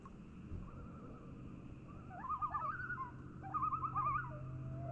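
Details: Common loons calling across a quiet Minnesota lake: wavering, yodel-like tremolo notes rising and falling in rapid quavers, two bursts about a second apart, ending in a long level wail, with low steady background hum.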